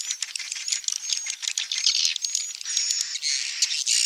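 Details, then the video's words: Several swiftlets chatter in a busy, continuous twitter of high buzzy chirps and thin whistles. "SUARA BURUNG WALET"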